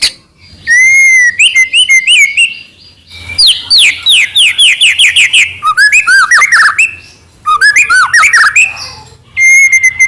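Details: Medan-type white-rumped shama singing a varied lure song to provoke captive birds: rich whistles, fast descending slurred notes and sweeping phrases, with short gaps between phrases.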